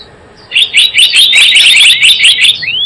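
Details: Java sparrow trapping-lure call: after a short quiet start, an unbroken string of rapid bright chirps and ticks, ending on a single rising whistle.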